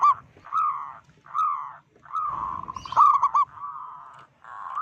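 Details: Loud-voiced local zebra dove giving a call meant to provoke and panic rival zebra doves: drawn-out, warbling coos broken by a rapid stuttered trill, then a long steady rolling note.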